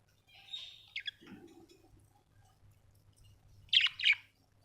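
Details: Happy pet budgerigar making a soft warbled chatter and a low grating note, followed by two loud, sharp, buzzy chirps in quick succession.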